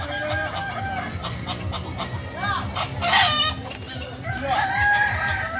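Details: Kukuak balenggek roosters crowing at a training competition: long, tiered multi-note crows with arching pitch steps overlap one another, over constant crowd chatter and faint background music.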